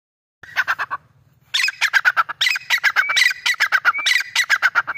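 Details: Grey francolin, known locally as Irani teetar, calling loudly: a harsh, rapid series of short repeated notes in two bursts, the second longer and running on steadily.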